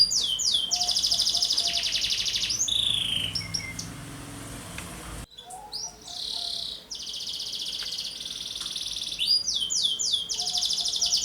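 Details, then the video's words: Canary singing as a lure and training model for other birds: bursts of high buzzy trills and swept notes, a quieter stretch with a soft lower hum midway, then fresh rapid rolling phrases. "KENARI GACOR, [[ PANCINGAN KENARI PAUD. [[ccocok buat masteran burung lain"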